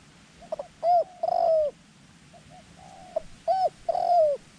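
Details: Decoy dove used to lure wild doves into a ground trap, giving soft cooing phrases: short quick coos, then longer drawn-out, slightly falling notes, the pattern repeated twice over a steady low background hum.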